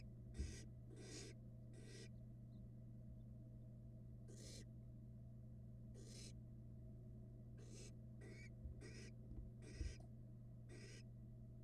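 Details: Pair of barn owl nestlings eating rats next to each other in a Florida nest box, 2022; about a dozen rasping, snore-like hisses in irregular succession, with faint shuffling thumps and a steady background hum.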